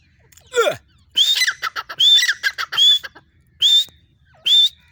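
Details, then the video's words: A female grey francolin gives a loud series of harsh, rasping notes. Thin whistled phrases rise sharply and repeat about once a second, opening with a downward-sweeping squeal. "female tettar ki awaz"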